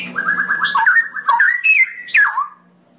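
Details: Straw-headed bulbul (cucak rowo) song phrase opening with a rapid, even series of low warbled notes, then louder fluty swoops and a sustained whistle ending in a falling slur.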